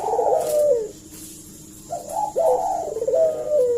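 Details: Collared dove giving a provoking lure call: a loud falling coo, a second of near-silence, then stuttering rising notes leading into another long descending coo.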